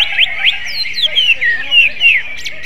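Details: A greater green leafbird's song in the manner of a magpie-robin: rapid rising whistled slurs, then longer falling and wavering whistles, ending in two sharp upward notes, over a faint constant hum.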